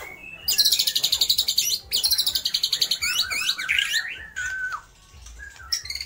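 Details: White-rumped shama in vigorous song with borrowed phrases of lovebird, kapas tembak and pijantung gunung: fast, regular buzzy trills, then a tumbling run of varied slurred notes and a few lower whistles.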